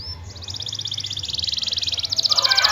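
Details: Canary rolling its song as bait to get lazy canaries singing: a quick, steady, high trill that swells in volume, turning into louder, more ringing pulses toward the close, over a faint low hum.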